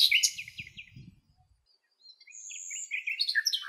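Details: Common nightingale (Luscinia megarhynchos) singing in the wild in Greece, among lilacs: quick high chirps, a pause, then a sustained whistle and a rapid run of varied, rich phrases, with a faint low rumble beneath the first second.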